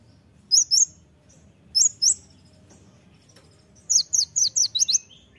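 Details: Kolibri ninja (olive-backed sunbird) singing for a masteran training recording. Paired sharp, high chips come in three bursts, the last a quick run of five or six clipped notes. Quiet gaps separate the bursts.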